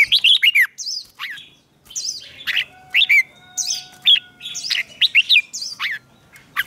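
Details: Red-whiskered bulbul fighting song for training: lively run of clear whistled phrases, many notes sweeping down sharply, given in quick succession with a faint steady tone running underneath.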